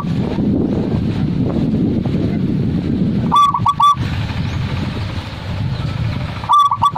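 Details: Zebra dove song: a short phrase of clipped, ringing coo notes at about 3.5 seconds, repeated near 6.5 seconds, over a steady low rumble of background noise.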